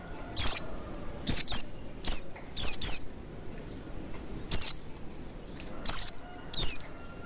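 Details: Oriental white-eye lure to coax a bird into singing with its beak wide open: about ten high, descending chirps, several in quick doubles, with a longer pause before the final few.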